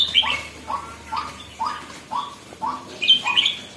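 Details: Red-whiskered bulbul just starting to turn lively, with evenly spaced short rising whistles about every half second and sharp high chirps at the start and end.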